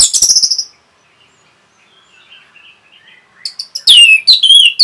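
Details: Fast song of an orange-headed thrush, used to excite other birds: a rattling burst of high, rapid notes, a quiet soft warble, then loud rich whistles sliding downward.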